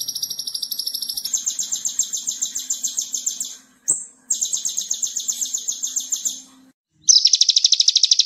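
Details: Konin masteran song, full tembakan, made to train other birds: long runs of very high, fast buzzy pulses that shift pitch, broken by a short whistle, a gap, then a harsher, louder trill.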